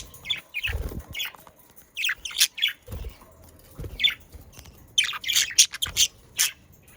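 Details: Pet budgerigars, Netherlands: crisp high chirps delivered in regular short bursts about once a second, growing busier toward the end, with a few dull low taps.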